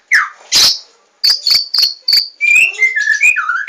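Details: Loud white-rumped shama lure song to prompt birds to sing. Sharp clicks and high buzzy notes lead into a string of rising and falling whistles.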